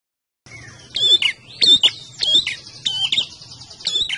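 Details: Red-headed prinia singing lively, high, sharp, chirping bursts, about two a second, with quick rising and falling notes and a faint low hum behind.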